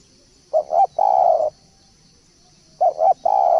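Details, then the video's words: Spotted dove call used as a lure: two phrases, each a pair of quick rounded coos followed by a long, rough, level burred coo. "pancingan burung balam/tekukur"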